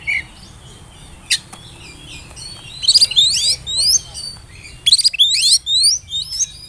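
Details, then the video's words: Oriental magpie-robin (kacer trotol) whistling, used to coax young birds to sing: a lone sharp chirp, then two dense bursts of rapid rising and falling slurred notes about two seconds apart. "pancingan suara burung kacer bersiul bikin emosi lawan cocok buata pancingan kacer muda"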